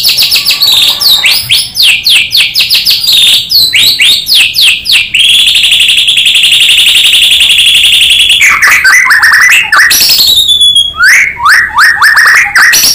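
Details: White-rumped shama song played as a lure to prompt other shamas to sing: rapid, loud, descending whistled notes at high pitch, then a long sustained buzzy trill of about three seconds, followed by more clipped, swooping phrases.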